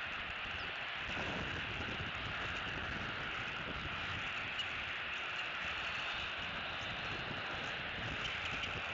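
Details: Continuous rushing mechanical rumble, much like a train or road traffic, runs throughout with no animal voice audible.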